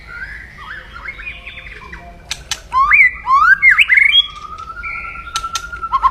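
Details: Loud aggressive 'kretekan' crackling song of a white-rumped shama, meant to provoke rivals. Soft chattering notes lead into bold swooping whistles and rattles, ending in a long, level whistled note.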